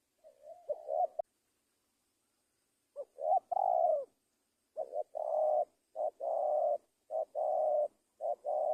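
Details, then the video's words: Spotted dove starting with soft rising notes, then a pause of nearly two seconds, followed by a run of hollow low coos in close pairs, a short note then a longer one. "Tekukur gacorrr"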